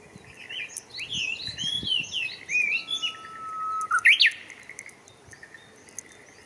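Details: In Showa Kinen Park on 10 April 2021, a Japanese bush warbler's held low whistle snaps into a bright, rapid upward flourish, preceded by a busy run of warbled high notes from other birds.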